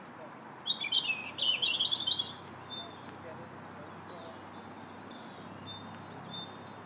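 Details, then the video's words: A robin in a park on March 2nd sings a quick, high, tumbling warble lasting about two seconds, then a string of fainter thin, wavering notes over a soft background hum. "Robin Singing"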